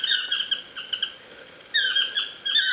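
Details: Chestnut-mandibled toucans in trees near a bungalow at Lapa Rios Ecolodge, Costa Rica's Osa Peninsula: a few softer yelping notes, a lull, then a louder burst of nasal, downslurred cries, with a thin high whine behind.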